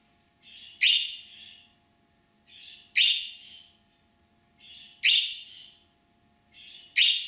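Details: A caged budgerigar gives a calling sound, made when it hears another budgie or is separated from its companion: loud, harsh rising chirps about every two seconds, each preceded by a softer scratchy note, over a faint low hum.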